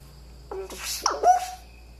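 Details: A three-year-old male eclectus kept as a pet gives its robotic noise from the owner's shoulder, close to the ear. The sound is a short, warbling, electronic-sounding burst with a buzzy middle and a gliding tonal end, with quiet room hum behind.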